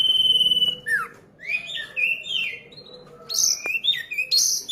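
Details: Ashy drongo, still young, copying common iora song: a steady high whistle, then quick downward-bending and rising whistled phrases separated by short pauses.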